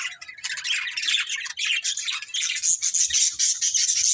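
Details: Breeding budgerigar pair and family giving continuous high, scratchy chatter and squawky chirps without pause, growing brighter and more whistled toward the end.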